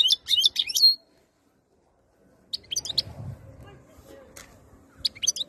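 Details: Goldfinch song from a bird said to be ready to mate: a rapid twittering phrase, a pause, then scattered high chirps over a soft low rumble.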